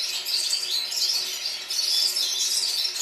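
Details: Many red-fronted serins in Baku, Azerbaijan, singing in chorus, their high chirping and twittering overlapping into one unbroken shimmering wash of sound.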